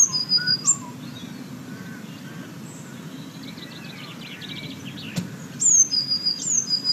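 Blue tit song: thin, very high repeated notes, then a quick silvery trill, with more high notes at the end. A low hum runs underneath.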